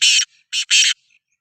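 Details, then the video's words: Loud rasping call of a black francolin, known as Sindhi kala teetar: a long harsh grating note, a short one, then another long one, delivered in quick succession and very close. "Kala Teetar Voice | Black Frankoline Voice | Sindhi Kala Teetar Voice کالا تیتر کی بولائی"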